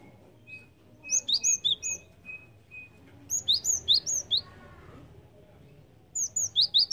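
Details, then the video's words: Java sparrow calls used to lure birds: three bursts of rapid high chirps, five to six notes each, a couple of seconds apart, with a faint steady tone early on. "PANCINGAN BUNYI BURUNG GELATIK"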